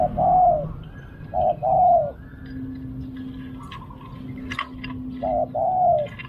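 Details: Spotted dove at a decoy-luring session repeats its soft, hollow coo phrase three times: a short note followed by a longer, slightly falling coo. A steady low hum runs underneath, with scattered faint chirps of other birds in the background.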